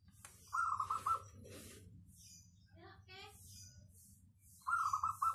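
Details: Local zebra dove singing in a dense, clear 'crystal' style suited to luring. A rapid rolling phrase of bubbly coos opens the recording, people talk in the pause, and the same trilled coo phrase returns at the end.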